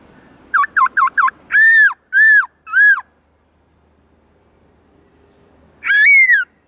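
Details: Black-throated laughingthrush in forest-voice song for training other birds: four quick V-shaped whistles, three loud arched notes, a silent gap of about three seconds, then one long falling whistle.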